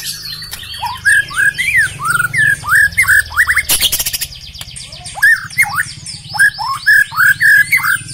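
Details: Song of a black-legged white-rumped shama: a long sequence of loud upslurred whistled notes repeated about three per second, with a sharp burst of noise near the middle and high chattering behind.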